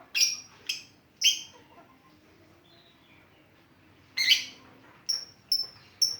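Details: Lovebird, kept as a lure to prompt other birds, giving short sharp high chirps in scattered bursts, three early then a cluster after a pause, with thin tonal notes near the end.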